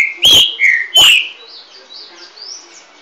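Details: Green-winged saltator of the 'garganta de ouro' type giving three loud slurred whistles, the middle one lower. Softer, higher thin notes follow over a quiet background.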